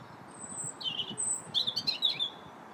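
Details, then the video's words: January robin song, recorded January 21st: a sweet, high, thin warble of rapid twittering notes and short whistled slides, rising in intensity toward the middle, against faint steady background noise. "Still the Robins Sing January 21st"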